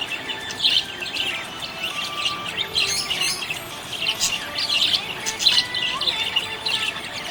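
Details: Happy budgies calling: trilling high chirps in uneven bursts with occasional louder squawky peaks, and faint sustained tones in the background.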